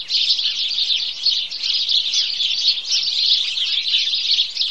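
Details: Bathing sparrows in a steady chorus, many birds chirping at once in a bright, shrill, unbroken chatter.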